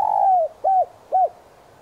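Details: Spotted dove used as a decoy to lure wild doves, cooing in the prized standard 'son' voice: one long, slightly falling coo followed by two short arched coos, clean and quiet behind.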